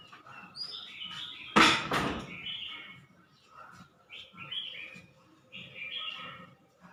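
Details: Red-whiskered bulbul from Suan Phueng, Ratchaburi, Thailand, giving short warbled phrases around the middle of its range, broken by pauses, with a loud knock-like thump partway through and faint background noise.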